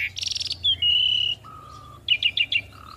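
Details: Asian pied starling song for young birds to copy: a buzzy burst, then long steady whistles, a lower flat whistle, and a quick run of four chirping notes.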